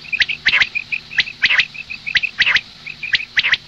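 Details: Female common quail in the morning: steady, fairly even rhythm of high pips given in twos and threes, each group led by a sharp downward-swept note, repeated about once a second.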